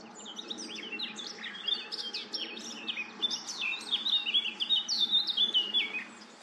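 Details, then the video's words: At Goldcliff, a Eurasian Blackcap sings a rich, fast warble of varied whistled notes, rising toward louder, clearer phrases at the end, with a faint low hum underneath; Eurasian blackcap. "A singing Blackcap"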